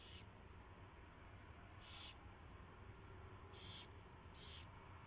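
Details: During a nighttime mouse delivery and feeding at an owl nest, 4:21 AM, 24 February 2016, four short scratchy hisses come at uneven gaps above a low droning hum.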